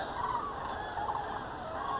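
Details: Common cranes in mid-February 2019, seen as unexpectedly early, flying over near wind turbines: a dense, overlapping chorus of rolling, trumpeting calls from many birds at once, over a steady wash of background noise.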